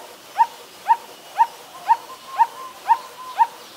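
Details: Coppersmith barbet (Psilopogon haemacephalus), a very common resident, recorded in Ubon Ratchathani, Thailand on 16 December 2019: a hollow, low, even 'tuk' note repeated steadily twice a second, seven notes.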